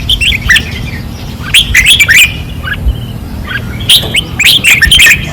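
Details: Caged red-whiskered bulbuls singing fiercely at a training perch, Pattani, 2024. Cheerful, rolling whistled phrases come in quick clusters, with several birds seeming to answer one another.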